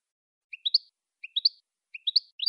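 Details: Saffron finch voice from captive-bird training audio: three repeated phrases of three rising notes climbing in pitch, spaced about 0.7 seconds apart, followed by a higher squeaky note at the end.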